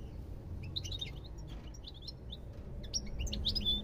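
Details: European goldfinch giving soft, quick twittering chirps in loose clusters, quieter at first and brightening toward the end, with low rumbling noise underneath.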